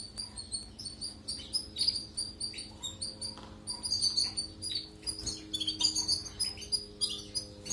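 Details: European goldfinch singing, recorded for canaries to learn from: quick bursts of bright, tinkling high chirps and short trills in uneven clusters, with a steady low electrical hum underneath.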